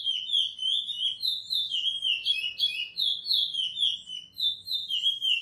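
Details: Chestnut-bellied seed finch (curió) in a praia song edited for training: sweet, high whistled notes in short looping phrases, each rising then dropping, sung continuously at an even pace.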